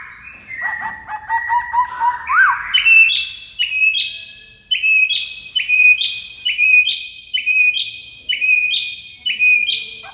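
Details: White-rumped shama masteran song played to make mute murai batu respond; after a warbled opening, a loud whistled phrase rising to a high note repeats about once a second.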